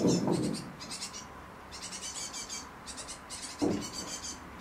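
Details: A mother bird feeding four chicks on a terrace. Rapid high pulsing begging chirps come in repeated bursts. Two louder, lower harsh sounds break in at the start and near the end.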